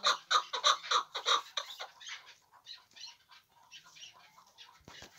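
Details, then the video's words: Hybrid chukar partridge giving a few loud, rhythmic clucking notes that quickly fade into softer, scattered chatter, with a brief click near the end. "Кабки Гибрид"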